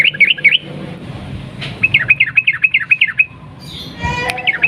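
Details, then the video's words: Sooty-headed bulbul in a long rapid 'ropel panjang' song. Quick runs of bright, dipping chirps repeat several times a second in two series. A brief harsher buzzy burst comes near the end. "burung trucuk gacor ROPEL PANJANG pancingan trucukan macet bunyi"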